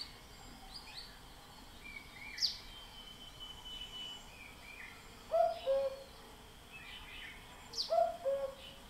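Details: Common cuckoo heard at a distance, its falling two-note cu-coo given twice several seconds apart, among thin high chirps of other birds and steady background noise.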